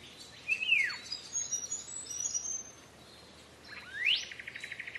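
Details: Green leafbird song used as a teaching tape for cage birds: a falling whistle, high thin trills, a pause, then a sharp rising whistle followed by a rapid buzzy rattle.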